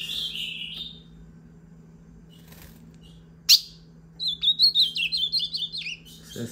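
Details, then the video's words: At six in the evening, female ultramarine grosbeaks (azulão) fight and sing: a brief high warble, a sharp loud click, then a fast series of twittering, rising and falling notes repeated several times, with a faint low hum behind. "Femias de azulão brigando e cantando"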